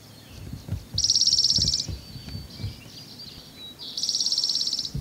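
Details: Spotted towhee on Lummi Island, Washington, giving two rapid, buzzy, high trills about three seconds apart, each just under a second long; faint thin notes from other birds and low background rumble between them.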